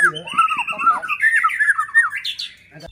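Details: White-rumped shama song for luring other shamas; a brief, fast warbling run of rich whistled notes climbing toward higher, thinner phrases at the end.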